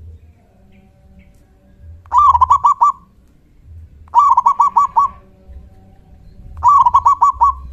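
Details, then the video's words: Loud local zebra dove, calling so other doves answer: three stuttering phrases about two seconds apart, each of six or seven quick, mellow cooing notes at an even pitch, with low background hum between. "Suara panggilan PERKUTUT LOKAL GACOR suara besar KUNG"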